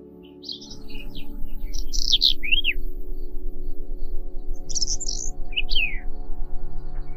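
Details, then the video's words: Whinchat song: two short, separated phrases of dry scratchy chirps and descending whistled slurs, high-pitched, with a pause between them, set over a steady low humming drone of background ambient music. "ЛУГОВОЙ ЧЕКАН - Голоса Птиц | Whinchat - Saxicola Rubetra"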